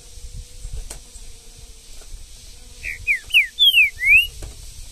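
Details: Green-winged saltator singing in the woods: a short phrase of five loud whistled notes, slurred down then up, after a few seconds of quiet background with low rumbling.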